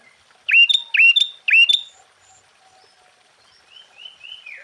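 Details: Sooty-headed bulbul in energetic song to provoke other bulbuls: three phrases, each a sharp dipping note followed by a higher clear whistle, then soft rising notes trailing off.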